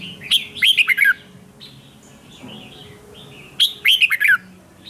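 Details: Chào mào, the red-whiskered bulbul, singing a morning training song in the 'ché' fighting-song manner: two bursts of rich, warbled, up-and-down whistled phrases about three seconds apart, with faint chirps between and a low background hum.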